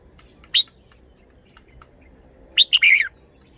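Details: Caged red-whiskered bulbul song: a single thin rising chirp, a two-second pause, then a fuller phrase of a sharp note followed by a quick, warbling tumble of descending notes.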